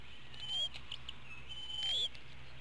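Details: At dinner time in a Hanover, Pennsylvania eagle nest, 5 April 2017 near 5 pm, an eaglet misses out on food; two drawn-out high whistles, the second longer and upslurred, with faint clicks and low background hum.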